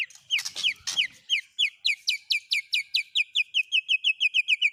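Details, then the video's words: White-rumped shama song with filler phrases from speed cililin, canary and lovebird songs. After a few loud opening notes, there is a fast, even trill of about twenty sharp chirps that slowly drop in pitch. The background is quiet. "Burung Murai Batu MU KURANG GACOR., BONGkar Isian speed cililin, kenari, love bird Dll..!"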